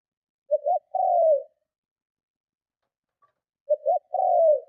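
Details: Strong spotted dove cooing meant to provoke and lure other doves: two identical low phrases, a quick double coo followed by a longer falling coo, separated by about two seconds of silence.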